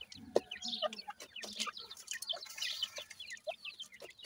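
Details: While feeding, grey francolin chicks chirp in quick high downslurred notes, overlapping in dense bursts, with occasional sharp clicks.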